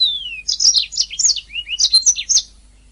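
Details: Canary song from a master recording used to train birds: a long falling whistle opens a quick string of varied high chirps, slurred notes and short trills, loud and clean against silence.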